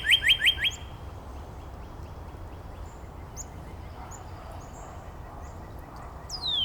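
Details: In Angrignon Park, a Northern Cardinal gives four fast, loud, upward-slurred whistles. Several seconds of faint background chips and quiet follow, then a new high note begins sliding downward as the next phrase starts.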